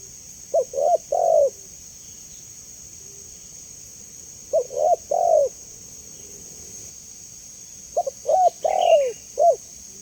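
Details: Clear spotted dove cooing meant to prompt replies from other doves: three low stuttering phrases about four seconds apart, the last one longer, with a faint higher chirp from another bird and a steady high hiss.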